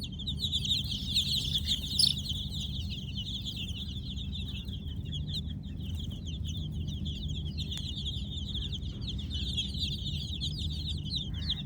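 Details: Many Kolor baby chicks chirping at night: a dense, unbroken chorus of short high peeps, slightly louder near the start, set against a steady low-pitched background drone.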